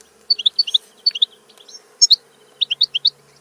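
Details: European goldfinch giving crisp, clipped high chirps in quick pairs and triplets, spaced by short gaps, over a faint low hum.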